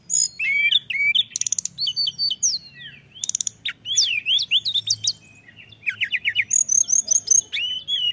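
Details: Mountain tailorbird (Phyllergates cucullatus), song.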